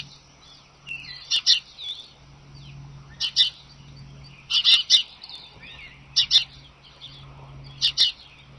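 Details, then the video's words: Morning sounds from the Sidney bald eagles, 25 March 2011, from an eagle camera: paired, squeaky, high chattering bursts about every one and a half seconds over a low steady hum, with other birds faintly calling. "Sounds of Sidney Eagles and other birds in the morning."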